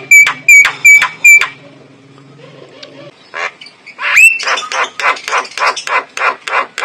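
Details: Male white-eyed Javan myna lure with a clear voice: four ringing metallic whistles, a quiet gap, then a sharp rising whistle and a fast series of harsh, squawky notes.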